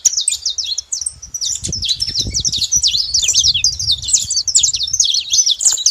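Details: Saffron finches singing together in a wild flock: a steady stream of high, rapid chattering chirps and zigzag notes from many birds at once, with low wind-like rumble beneath.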